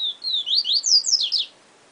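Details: Song of a yellow-bellied seedeater (Sporophila nigricollis): one fast phrase of high whistled notes, a longer opening whistle then a run of quick sliding, slightly rising notes lasting about a second and a half.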